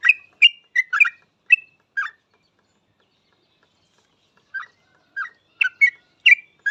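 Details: Yellow-vented bulbul in full song, used as a lure to get other bulbuls singing quickly: bubbly, liquid chirped notes, a quick burst of six, a silent pause of over two seconds, then another run of chirps. No other sounds.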